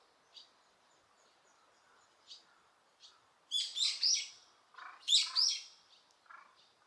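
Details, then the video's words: Birds at Osaka Castle Park, Japan, with no people present, recorded with noise reduction; soft scattered high ticks give way to loud clusters of sharp, high, twittering chirps in two bursts. "大阪城公園 鳥の鳴き声"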